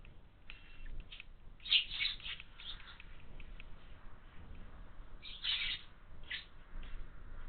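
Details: In a window feeder, house sparrow chicks call in two bursts of rapid, overlapping high chirps, separated by quieter scattered notes against faint low-frequency noise.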